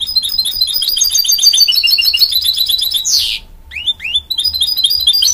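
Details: Mule from a goldfinch crossed with a canary, pouring out a dense, rapid trilling song, a brief pause, then quick rising whistled notes and chirps.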